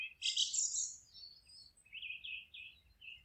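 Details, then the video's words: Forest birds singing: a loud, harsh high-pitched jumble of notes, then a quick series of four or five clear slurred chirps, over a steady low background rumble. "Forest relaxing sounds of singing birds"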